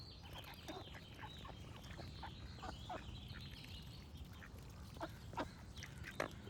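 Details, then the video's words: Duck giving a few short, nasal quacks, loudest near the end, amid steady chirping and whistled songs of other birds and a low background rumble. "Cute Duck Quack Sound Effect with Birds Singing"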